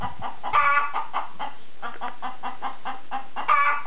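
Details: Chicken clucking in a steady run of short, throaty notes about three per second, with louder, harsher squawks near the start and end.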